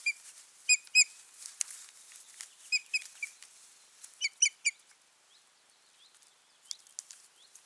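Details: Osprey pair at the nest on 14 June 2019: scattered sharp, high whistled chips, some in quick doublets and triplets, separated by brief pauses, with soft wing flutters and faint rustling between calls.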